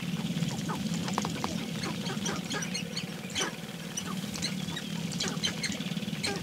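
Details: Mating dance of several sharp-tailed grouse on an early May 5, 2019 morning; a low rhythmic drumming hum underlies frequent short, sharp clucks and chirps.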